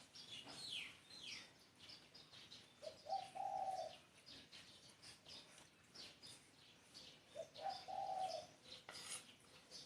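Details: Spotted dove cooing: two low, hoarse phrases about four seconds apart, each a short note and then a longer rolling coo. Many small birds chirp and twitter at higher pitch throughout.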